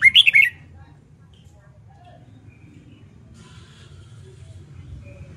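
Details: Red-whiskered bulbul, newly caught bird being trained to open up and sing in contests: one quick, loud phrase of several warbling notes at the start, then only faint low hum.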